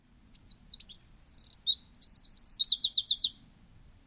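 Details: Eurasian wren, a very small bird, singing its loud, explosive song: a burst of high, rapid notes ending in a fast rattling trill, about three seconds long.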